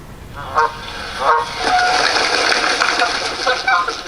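Canada geese honking: loud, nasal two-part honks ring out every second or so over a dense, continuous chatter from a large flock.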